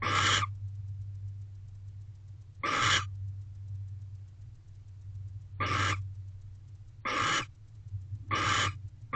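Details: Barn owls in a nest box during courtship on a late August morning: loud, harsh breathy hisses about a half second long, repeated every two to three seconds, over a constant low hum.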